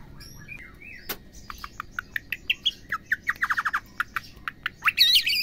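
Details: Female white-rumped shama call that stirs males into song: a few slurred whistles, then a rapid run of short, sharp repeated notes, some in fast clusters, ending in a loud harsh, buzzy burst.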